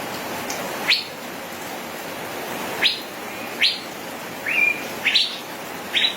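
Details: Male Asian fairy-bluebird singing in a busy rolling style. Sharp rising whistled notes are spaced about a second apart, then come closer together near the end, with one short flat whistle among them, over a steady hiss.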